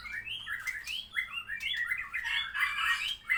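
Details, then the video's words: White-rumped shama, post-moult, delivering lively continuous song of mixed whistles, chattering phrases and high sharp notes, with a faint low hum beneath. "Murai Gacor setelah mabung"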